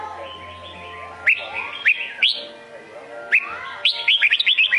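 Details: Red-whiskered bulbul of the Sông Côn variety singing bright, slurred whistled phrases, a few spaced notes then a quick run of rising-falling chirps near the end, over faint background hum.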